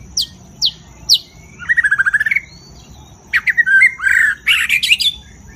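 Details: White-rumped shama, a caged songster, singing loud with many voices: three sharp downward whistles, a fast buzzy trill, then rich rolling warbled phrases, with a steady high electronic whine behind.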